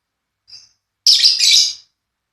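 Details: Lovebird pair being matched, Paud variety: a faint thin note followed by a loud, harsh double burst of high chirps.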